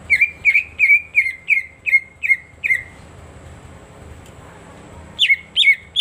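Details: Cucak ijo (greater green leafbird) lure song meant to stimulate silent birds: eight sharp, evenly spaced chirps with a downward slur, then about two seconds of quiet noise before three more chirps return.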